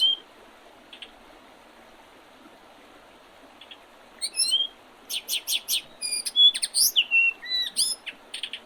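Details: Birds singing in early spring on 8 April 2023 along the Oredezh River, Leningrad Oblast, Russia; quiet start, then a dense run of high chirps, slurred whistles and rapid notes.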